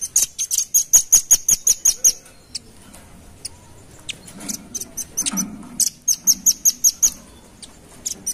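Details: Lure call of the velvet-fronted nuthatch for attracting birds, given as fast, even runs of thin high chips, about three per second, in bursts separated by quieter scattered ticks and faint low rumbling.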